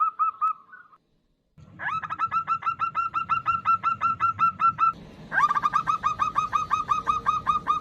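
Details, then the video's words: Local female zebra dove calling to a male, used as a lure: a rapid run of short, clipped cooing notes repeated about three per second, with a brief pause before the series restarts, over a low rumbling background. "Suara Perkutut Betina Memanggil jantan AMPUH untuk Pancingan | Suara Perkutut betina lokal"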